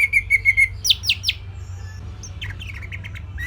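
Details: {'caption': 'Orange-headed thrush tutor song for songbirds to copy: four quick level whistled notes, then three sharp downward-sweeping whistles, followed by softer scattered chirps in the background.'}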